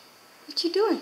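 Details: A pet talking grey parrot, whose phrases include "I'm a superstar" and "ang ganda mo", utters a short, speech-like phrase in a fairly high, human-sounding voice, about half a second long, with quiet room background.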